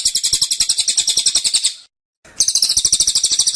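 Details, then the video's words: Tembakan song of a caged velvet-fronted nuthatch, tight and insistent: a high, fast, buzzy pulsed trill for nearly two seconds, a brief silence, then the rapid chatter resumes without slowing. "Tembakan Cililin Suara Rapat Dan Ngotot"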